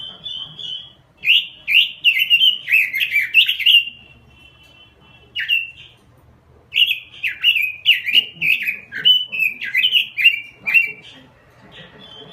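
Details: Robin lure song in full, steady voice: bursts of quick, slurred whistled notes with a buzzy edge, strung in two long phrases separated by a short pause, with a faint low murmur beneath.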